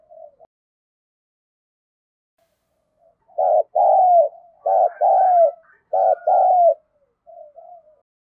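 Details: Spotted dove of the 'giọng thổ' voice style calling: after a near-silent start, three loud two-part coos in quick succession, each a short note then a longer descending coo, with faint softer coos before and after.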